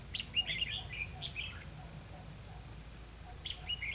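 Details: Red-whiskered bulbul during bird trapping at Hòa Mạc, Hà Nam, Vietnam: short bright warbled phrases, chirpy and slurred, in a quick burst at the start, then a pause before another phrase near the end, over faint low background hum.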